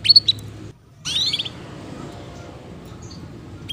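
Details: Female canary lure chirping for young canaries learning to sing; a few quick high chirps, a short silence, then a sharp downswept chirp burst and a faint high note at the end.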